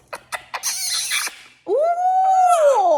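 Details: Pet male Quaker parrot, a talking bird, during nighttime cuddles indoors: a few sharp smacking kiss-like clicks, then a long, smooth, harmonic whistled note that rises, holds steady and falls away over about a second and a half.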